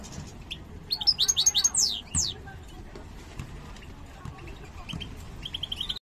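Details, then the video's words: European goldfinch, parva subspecies, coming into breeding condition: a short burst of rapid, high, descending chirps around the first two seconds, then quieter scattered twitters and a brief final run of chirps, over faint low background noise. "jilguero parva entrando en celo"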